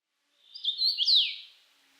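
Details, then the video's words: Common rosefinch singing one short clear whistled phrase of slurred notes, rising then falling, about one second long, on a quiet background. "Пение птиц - Чечевица - Голоса птиц."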